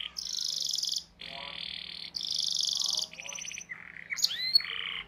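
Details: Canary song meant to coax young and reluctant canaries into singing: alternating blocks of dense, high rattling rolls and lower buzzy trills, ending in a few sliding whistled notes.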